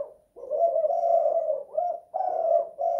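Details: Indoor spotted dove with the two-kuk, one-guk song: one long throaty coo followed by two shorter, slightly upslurred notes, a soft lead-in note at the start.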